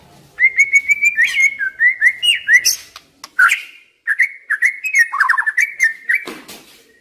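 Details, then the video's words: Young white-rumped shama from the forest, described as stressed, whistles a mellow chain of mid-pitched, slightly wavering notes in two long phrases, with a brief pause between them. The song is used to get reluctant shamas singing. "Pancingan MURAI BATU Muda Hutan, Stres, Macet Nyaut Cuma Hitungan Detik"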